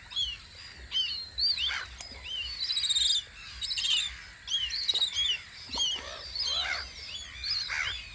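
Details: Gulls at their guarding post on Audru polder, recorded in spring: a busy chorus of overlapping high, sweeping squeals and short yelps with bright harmonics, several birds calling at once with brief pauses between bursts.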